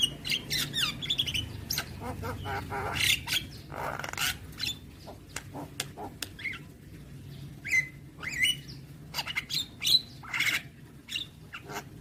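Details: Javan myna in a long varied outpouring of scratchy chatter, clicks and grating notes, with short high whistled pips scattered through the second half.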